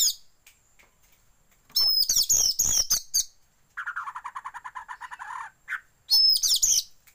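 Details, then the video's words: Oriental magpie-robin song played as a training lure to get birds to fan their tail: loud whistled phrases, then a long rapid buzzy rattle of repeated notes, and another whistled burst. "pancingan kacer buka ekor"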